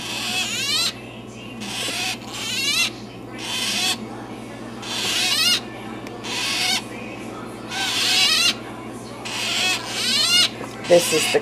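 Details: Newly hatched Illiger's and blue-headed macaw chicks in a container on a heating pad, 7 December 2012, give contented cooing after feeding: raspy, wheezy bursts roughly every second, high and slurred with squeaky upturns, over a steady low hum.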